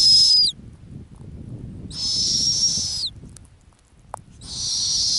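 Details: Long, rough, hissing high screeches from a female snowy owl nesting on the Arctic ground, three in about five seconds, with a single sharp click between them.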